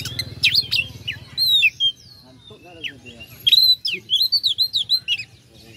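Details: Oriental magpie-robin (kacer) song used as a lure to provoke rival birds into singing: varied loud whistled and chattering phrases around the upper mid-range, sweeping notes and quick repeated chips, with a faint low hum beneath.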